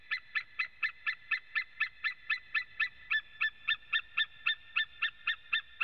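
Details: ['White-tailed eagle male on a Latvian webcam, 23 September 2017, 14:12, alongside another calling male. Steady, evenly spaced, high yelping notes, roughly four per second, form one unbroken series.']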